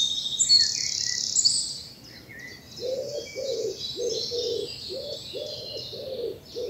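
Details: Spring morning chorus in a south English bluebell wood: high chirps and trills early on, then a low cooing call repeated about seven times beneath faint twittering.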